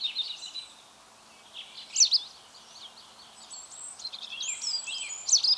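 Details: White wagtail at Mønsted, 27 March 2020, giving bright, high chirps in scattered bursts, loudest around two seconds and again near the end, with a quieter pause between and soft background noise.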